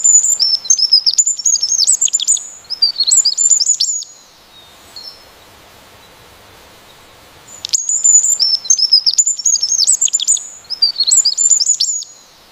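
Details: Bird in the wild delivering two bursts of rapid, high, twittering song made of quick slurred whistles and chips, separated by a pause of about three seconds with only low background hiss.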